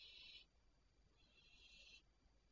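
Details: Barn owls heard at night, 01:26 on 3 July 2023: two soft, distant breathy hisses, a short one and then a longer one, in near silence.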